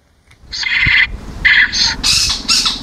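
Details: Spotted owlets in Ahmedabad, Gujarat, filmed in morning or evening, giving their screeching call: a series of harsh, raspy, hissing screeches, each about half a second, repeated in quick succession, some higher and louder; low outdoor rumble beneath.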